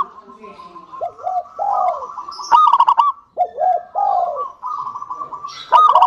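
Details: Active local zebra dove singing to draw song from other doves, alternating low wavering coos with a bright stuttering run of notes, the phrase repeating about every three seconds.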